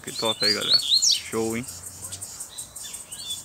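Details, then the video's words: Black, bluish-white-billed double-collared seedeater gives quick high whistled slurs and a steep sweep while a man talks loudly over it, then quieter distant notes. "Coleiro Preto do Bico Branco Azulado Solto Batendo Firme!!!"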